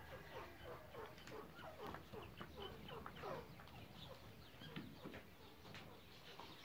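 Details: A pair of grey francolins, kept in an aviary, give soft, rapid clucks and chattering notes, overlapping in a steady, fowl-like murmur with faint background noise.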